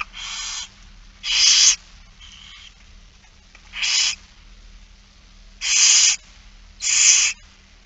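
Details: Begging barn owl young during feeding, It Fryske Gea, Netherlands, 8 September 2019: harsh hissing screeches of under half a second, five spaced irregularly, with a faint softer twittering call between them.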